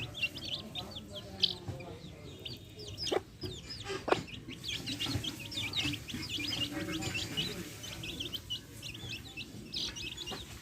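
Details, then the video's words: Chicks feeding beside backyard hens peep constantly, thin high notes rising and falling in quick overlapping bursts, with a couple of loud taps and low hen clucks beneath. "Adorable backyard hens with chicks making adorable sounds!"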